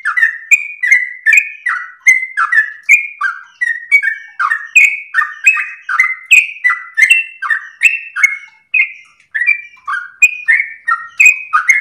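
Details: Sooty-headed bulbul singing energetically in the rapid, long-breath style, meant as a master and lure recording for other birds. A dense run of whistled, bubbly notes, each falling or rising in pitch, follows on almost without pause, with sharp ticks above.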